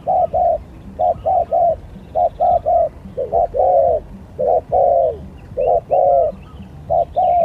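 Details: Spotted doves in a lure skill competition cooing in overlapping triplets and slurred, falling phrases, a dense back-and-forth of hollow low notes, with scattered small-bird chirps above.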